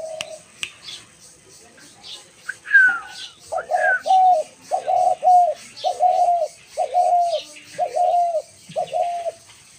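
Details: Dove cooing after a brief human voice and a high, falling bird chirp. It then delivers a run of eight or so even, low, hollow coos in a regular rhythm, with faint chirping behind.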